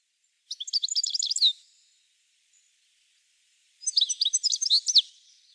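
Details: European goldfinch (Carduelis carduelis) singing: two bright, high, rapid twittering phrases of tinkling notes, each about a second long, separated by a short pause, with a clean quiet background.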